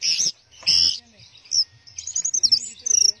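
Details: Orange-headed thrush in the 'teler' singing style: short, high, bright phrases and squeaky chirps in separate bursts, with brief gaps between them, over a quiet low background.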